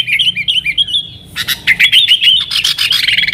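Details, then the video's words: Vigorous nggaruda-style song of a yellow-vented bulbul, meant to draw in wild sooty-headed bulbuls: a few clear looping whistled notes, then a dense burst of rapid chattering notes with harsh scratchy edges. "TRUCUKAN GACOR Nggaruda Super Ampuh Untuk Suara Panggilan Burung Kutilang Liar"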